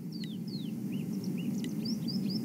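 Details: On a morning safari game drive (7/5/2015), a yellow-fronted canary making a lot of noise gives thin, high whistled notes in quick succession, some slurring down and others rising, over a steady low engine rumble.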